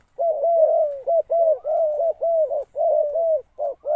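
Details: Spotted dove kept as a decoy calls to draw in wild birds, giving a dense chain of soft, hollow, low coos, one after another with brief gaps, loud and close.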